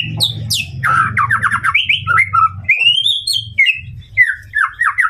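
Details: White-rumped shama song aimed at provoking a rival: sharp high sweeps and chattering bursts, followed by a long bright whistled trill and slurred whistles, over an intermittent low hum.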